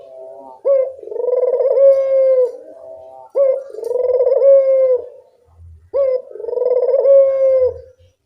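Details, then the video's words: Barbary dove, a lively calling bird recorded to prompt quiet doves to call, giving three long rolling coos, each about two seconds, with a short lead-in note and a steady pulsing tone, repeating roughly every two and a half seconds. "Masteran burung puter gacor, mengatasi burung puter malas bunyi"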